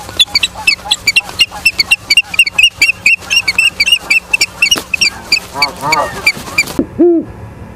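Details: Osprey at its nest in Charlo, Montana, evening of 9 September 2023, from a live cam: a rapid, uneven series of high, clipped whistled chirps for nearly seven seconds, then silence and a brief low wavering sound.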